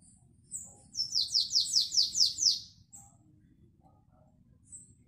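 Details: Canary singing in the classic Belgian song style, 2021: a rapid series of about seven descending, slurred high notes roughly seven per second, between brief thin high chirps and quiet background hum.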